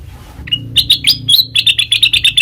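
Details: Black-crested bulbul song used as a trapping lure: a thin whistle, then a rapid run of bright, chirpy notes repeated about five times a second.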